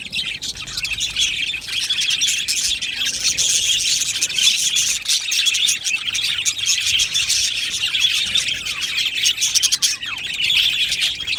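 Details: Aviary colony of budgerigars chirping together: steady, busy high-pitched twittering and short squeaks overlapping without pause throughout.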